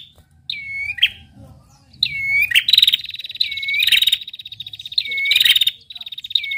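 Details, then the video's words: Female red-headed prinia giving its ngetirr call: sharp downslurred whistled notes alternating with rapid buzzy pulsed trills, in several bursts separated by short pauses, with faint clicks in the background. "prenjak betina gacor ngetirr"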